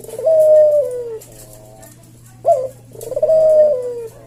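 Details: Javanese puter dove singing its leisurely 'kuk deruk' coo meant to tutor and attract cage birds: a long falling coo, a pause, then a brief accented note leading into another extended coo; a low steady hum beneath.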